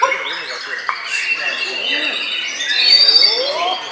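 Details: A bowing white-rumped shama gives fast chattering song with clicks and short whistles, building to a brighter high whistled passage near the end, amid steady background bird chatter.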